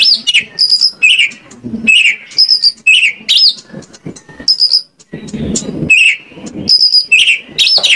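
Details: Oriental magpie-robin lure song from Indonesia, played to make other magpie-robins open up and sing: high steady whistled notes alternating with short falling slurs and harsh sweeping phrases, with low rumbling background noise between phrases.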